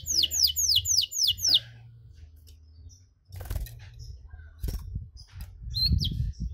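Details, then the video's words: A canary opens with a quick trill of six high, downward-slurred notes in about a second and a half, then low rumbling, a few knocks and a lone chirp. "KENARI CENGKOK DURASI PANJANG!! AUTO MANCING EMOSI KENARI LAIN"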